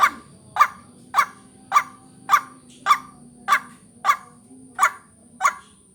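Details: A lure recording for vocal training. The white-breasted waterhen gives abrupt, grating croaks at an even pace, close to two per second, with a faint high whine throughout.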